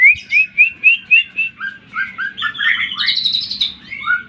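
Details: Greater green leafbird song used as a lure to provoke other leafbirds: a run of quick rising whistled notes repeated about four per second, then chattering varied phrases and a burst of higher buzzy notes.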